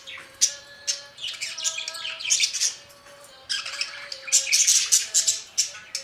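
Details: Budgerigar song-like chatter: fast, scratchy, high twitters and chirps in long runs, briefly pausing mid-way, then resuming even denser and louder.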